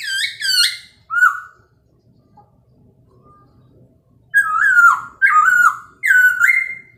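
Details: Chinese hwamei in the morning, singing to provoke rival birds: loud swooping whistled phrases, a short slurred note, a quiet gap, then three strong descending-then-rising whistles about a second apart.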